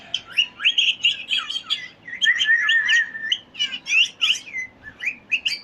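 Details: Parrot chattering busily, rapid warbled chirps and trills with a brief wavering whistle in the middle, barely pausing.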